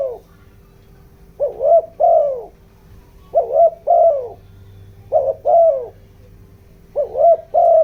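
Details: Decoy spotted dove in 'giọng đồng' style for luring wild doves: soft low coos given in close pairs, phrases roughly every two seconds, a steady faint hum underneath.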